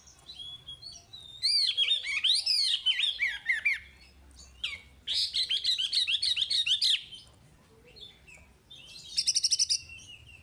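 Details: Chinese hwamei song for training caged birds: bursts of rich, warbling whistled phrases separated by quieter gaps, with a soft low hum underneath and a final fast trilled flourish.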